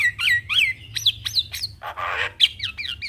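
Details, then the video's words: Javan myna in busy 'isian'-filled song: a string of sharp down-slurred whistles, roughly three per second, interrupted by one broad scratchy rasp before the whistles resume. "Jalak Kebo Gacor Full Isian Semua Burung Jalak Langsung Ikut Bunyi"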